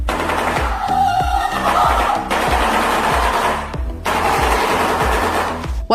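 Shoebill bill-clattering: a rapid, hollow, machine-gun-like rattle of evenly spaced knocks, with steady background music throughout.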